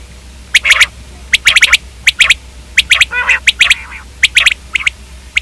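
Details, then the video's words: Common quail, known locally as batair, repeating quick clusters of sharp ticking notes, with a short grating rasp around the midpoint. "Common quail video|Quail k hobsort awaz|Quail/Batair|Batairawaz"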